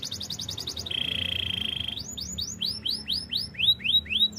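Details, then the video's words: Belgian canary training song, opening with a fast pulsed trill, then a steady high rolled tone, followed by loud swooping slurred notes repeated about twice a second. "Canary training song - Belgian canary singing"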